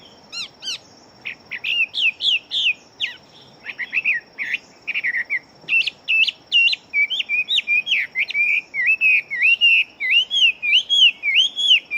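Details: Fast-singing, big-bodied fighting Chinese hwamei. A few scattered notes build into a long, quickening stream of short, varied whistles, repeated nearly three times a second, each phrase twisting in pitch.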